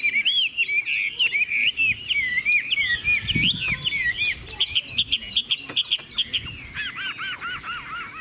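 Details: Caged Chinese hwamei in full song, pouring out a continuous run of rich whistled notes and wavering trills, then a closing series of repeated looping upslurred whistles, faint clicks in the background.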